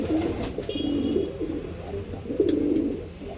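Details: Low, husky coos of Andhra line pigeons, a rolling coo, a longer throaty one, then a final wavering burst, over a dull room hum with faint high chirps.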